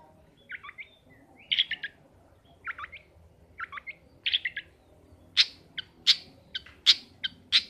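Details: Caged long-tailed shrike singing in full voice: short scratchy chirped phrases repeated about every second, becoming louder, sharper and more clipped toward the end, over a quiet background hum.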